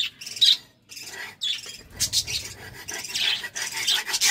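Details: Budgerigars courting: a loud high chirp, then a pause, then continuous raspy, buzzy warbling chatter that fills the rest of the stretch.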